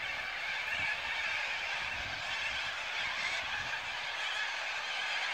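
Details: Thousands of corellas roosting for the evening on the Onkaparinga river, a dense, unbroken chorus of harsh, overlapping screeches from the whole flock, with no single bird standing out.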